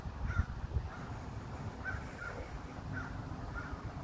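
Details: A crow in Minnesota makes odd chittering sounds, a loose series of five or six brief, clipped notes spaced about half a second apart, over a low background rumble with a couple of soft knocks early on.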